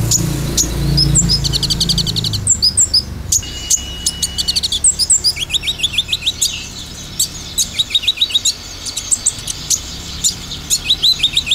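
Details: Lure recording of olive-backed sunbird song featuring tembakan bursts: a low rumble at first, then rapid trills of thin high chirps, short stuttering volleys and rising flicked notes repeated in quick clusters toward the end.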